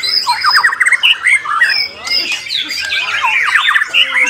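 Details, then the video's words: Contest white-rumped shama delivering quick bursts of sweet whistles and fast chattering trills, mostly high and sliding, with a brief pause midway and other birds singing behind. "MURAI BATU GALAXY"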